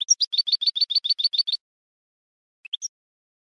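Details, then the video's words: Goldfinch song: a rapid twittering run of about a dozen paired high chirps for a second and a half, silence, then three short rising notes. "Goldfinch Song"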